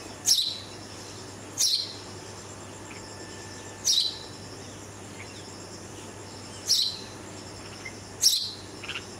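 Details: Red-vented bulbul fledgling, rescued after a cat raided its nest, moved to a first floor and fed there by its visiting parents; five short, sharp, high chirps about every two seconds over a steady low hum and faint insect noise.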